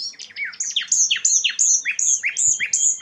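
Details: Rare sikatan londo flycatcher repeating a sweet, sliding whistle that drops in pitch, about six times in quick succession, each phrase pitched high and clear, with a faint low thump midway.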